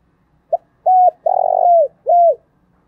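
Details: Cooing spotted dove used to excite another dove into singing in the 'thổ' style. A short opening note is followed by a steady coo, a drawn-out throaty rolling coo and a closing coo that drops in pitch.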